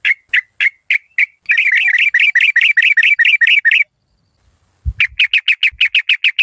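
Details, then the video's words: Malaysian-type yellow-vented bulbul used as a decoy delivers evenly spaced sharp notes, then a dense rapid trill lasting over two seconds, a pause with a soft thud, and more quick repeated notes. "เสียงนกต่อ นกปรอดหน้านวล ถิ่นมาเล"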